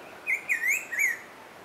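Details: Song of the black-throated grosbeak (Saltator fuliginosus), a rapid series of four clear, slurred whistles that dip and rise in pitch, close and loud above soft ambient noise.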